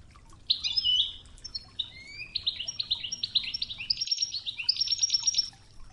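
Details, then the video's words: European goldfinch performing the Oued Toughza song for training, river water behind; continuous high twittering and buzzy trilled phrases run for several seconds with barely a break. "الشريط الويداني الأصلي توغزة بنغمات خرير مياه الأنهار"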